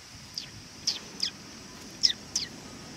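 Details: Sparrows approaching to be fed, Tenmangu shrine, 18 August 2020: five brief, squeaky high chirps spaced irregularly over three seconds, against a continuous high-pitched background drone.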